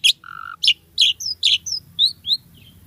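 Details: Short burst from an energetic Asian pied starling: loud sharp chirps alternating with a flat buzzy note and thin upslurred whistles, all in under three seconds.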